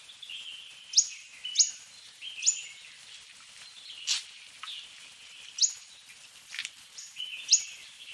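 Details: Fork-tailed sunbird giving a series of piercing, high-pitched tsip notes about once a second, each dropping quickly in pitch, with an even hiss of background noise.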